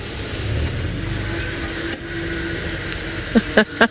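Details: Steady engine and traffic rumble fills the recording, ending with three sharp knocks, with no animal voice heard.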